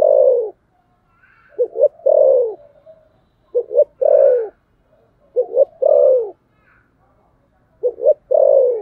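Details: Fighting coo of a spotted dove in the 'thổ sấm gù' style: repeated phrases of two or three short clipped notes and a long falling coo, with faint higher chirps between phrases.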